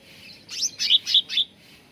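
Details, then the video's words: Cucak ranting bulbul heard in a training lure for songbirds: four quick, rough, buzzy notes in close succession within under a second, then quiet. "SUARA PANCINGAN CUCAK RANTING BAHAN AGAR CEPAT GACOR"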